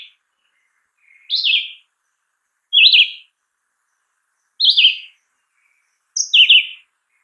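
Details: Red-eyed Vireo (Vireo olivaceus), a prolific American songbird, sings four short, slurred whistled phrases, high and clear, each rising then dropping, spaced about two seconds apart with quiet pauses between.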